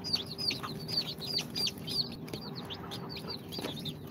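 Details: Incubator-hatched chicks on their second day, of Sultan, Golden Sebright, Cochin and booted breeds, give high, piercing peeps repeated about three times a second in a steady chorus.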